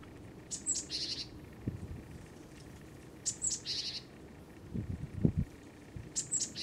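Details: Eurasian tree sparrow perched on a power line, on alert and threatening; high, sharp chirping bursts of several quick notes come about every three seconds, with low thuds and handling noise between them.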